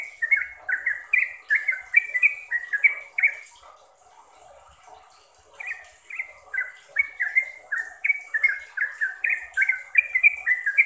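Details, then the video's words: Yellow-vented bulbul gives fast, bubbly runs of short liquid notes that rise and fall, pauses about two seconds, then resumes, over a steady high hiss. "BANYAK Trucuk yang jadi GACOR dan ROPEL berkat suara TRUCUKAN ini"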